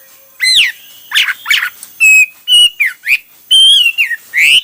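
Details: Hwamei song of clear, loud whistled notes, some flat and sustained, others rising or falling, delivered in separate phrases with short pauses between them.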